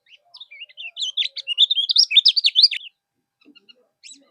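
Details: Common iora, called kecial kuning, singing a tutor song used to make other birds respond: a fast, varied phrase of whistled loops and sharp chirps that builds in loudness for about two and a half seconds, then soft distant notes.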